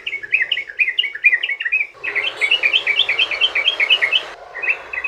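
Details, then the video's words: Long rapid 'ropel' song of a yellow-vented bulbul, meant to lure other bulbuls into replying: quick strings of bright chirpy notes about eight per second, with a short pause before a second burst. "trucukan ROPEL PANJANG buat pancingan burung trucukan agar bunyi"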